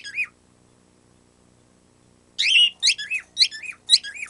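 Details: Pet bird doing a squeaky-toy sound it picked up without being taught: one shrill note, a two-second gap, then five quick squeaks, each rising and falling sharply.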